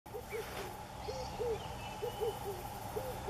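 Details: At Underberg, South Africa, in 2015, a Red-eyed Dove gives low, soft coos in short bursts of two or three, repeated several times, over a steady hiss of background insects.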